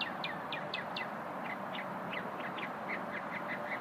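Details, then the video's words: A small singing bird heard during a lunch break: a quick series of short, sharp, downward-slurred chirps, about three per second, set against a steady broad background hiss. "Happy bird"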